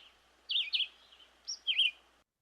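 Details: A Red-eyed Vireo sings two short, slurred, high phrases about a second apart, each swooping down and back up, over a faint steady hiss; a very common species that keeps singing throughout the day.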